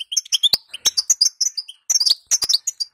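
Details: A female European goldfinch gives rapid, thin chirps and rising twitters in two dense bursts, interrupted by sharp clicks. The calls are used to make males sing.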